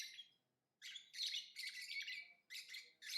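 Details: Lovebird chattering: almost unbroken harsh, buzzy, high-pitched twittering runs for over a second at a time before short breaks.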